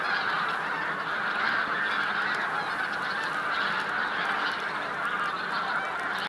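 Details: A large flock of bean geese at Jakubovské rybníky on 9 March 2014 gives a dense, unbroken chorus of nasal honking, with many overlapping calls through the whole clip.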